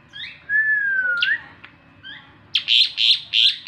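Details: Morning song of an Asian pied starling: a long, clear whistle sliding gently down and ending in a sharp upswing, a few soft notes, then four loud, rasping buzzy bursts in quick succession.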